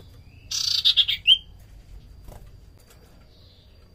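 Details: Common iora song recorded as a lure sound. Rasping buzzy notes run into a clear slurred whistle, then a pause and a brief rising note at the end. A thin constant high hum sits in the background.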